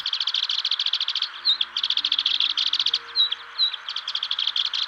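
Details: Sedge Warbler singing on Stains Moor in early spring, a showy migrant back from south of the Sahara: fast chattering runs of repeated dry notes broken by brief sweet whistles, with a soft low musical drone beneath.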